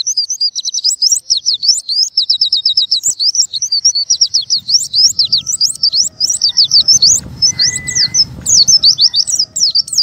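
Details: Oriental white-eye song meant to get birds to open their beaks and sing: fast, high, sharp chirped notes in rapid chattering runs, with brief gaps and a steady whistled tone near the middle.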